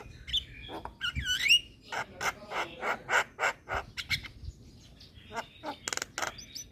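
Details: Singing Javan myna, bobbing its head, played to lure and train moulting mynas: whistled looping notes open the phrase, followed by steady rasping chatter and closing bursts of buzzy, clicking notes.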